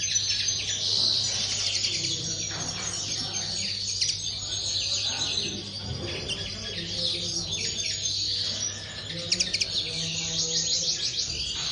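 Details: Aviary common linnet giving a busy, chattering song of quick twittered notes and short trills, with a steady low hum and a few clicks throughout.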